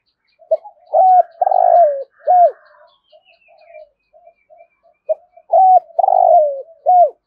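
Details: Two loud phrases of spotted dove thúc gù cooing, thổ rền voice style: each a sharp hoot, a long rolling downward-sliding note and an arched coo, separated by soft repeated murmurs.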